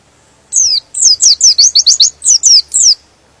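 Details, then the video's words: A white-eye sings to excite other white-eyes: one compact, fast phrase of about a dozen piercing high whistled notes, each slurring downward, lasting around two and a half seconds. "Suara Pleci ini bikin Pleci Lain Emosi dan ikut Gacor"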